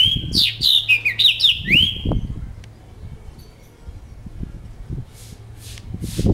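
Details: A kept House finch (Carpodacus mexicanus) singing a quick, jumbled warble of high slurred notes lasting about two seconds, ending in a long drawn-out note. Low rumbling and faint rustles follow.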